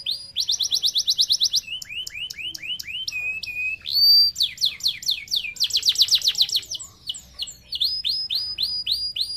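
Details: Canary in long, richly varied 'cengkok mewah' full-fill song, used as a master recording to train other birds: fast buzzy trills, swooping repeated whistles and sharp rising notes follow one another without pause.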